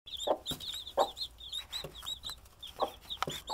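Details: Domestic hen watching over her baby chicks: soft, low clucks about once a second under a constant stream of high, thin, rapid chick peeps, with a few sharp knocking sounds.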